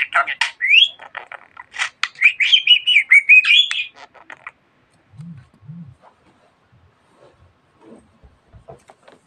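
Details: Budgerigar chatter of rapid clicks and rising warbled whistles for about four seconds, then near silence with a couple of low faint sounds.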